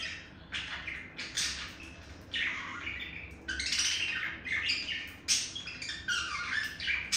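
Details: Courting male budgie chirps to a female, also tapping his beak. Busy, scratchy warble of overlapping chirps and harsh squeaks, with some louder bursts and faint background hiss.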